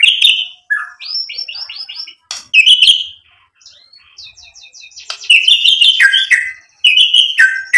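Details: Energetic white-rumped shama song used as a 'pancingan' to stir rival birds: rich whistled notes, quick repeated high chips in a stuttering series, harsh clicks and ringing phrases delivered in varied bursts with brief silences between.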